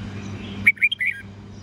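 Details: Red-whiskered bulbul morning song in the 'old forest voice' style, for teaching young birds: a steady low hum, then four short whistled notes, bright and slightly slurred, in half a second.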